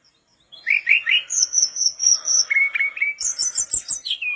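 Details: Mangrove blue flycatcher singing persistently, used as a tutor recording for other flycatchers: a long high whistled note, then buzzy chirps and a rapid run of sharp high notes repeated about twice a second.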